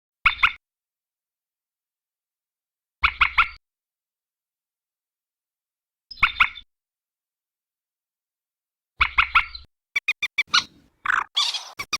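Common moorhen giving harsh, abrupt croaking notes about every three seconds, ending in a quicker burst of clipped clicks and squawks; no other sounds.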